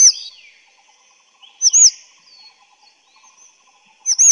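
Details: Grey-chinned minivet with short high arched whistles repeated at intervals, mixed with softer thin sliding whistles from other birds nearby.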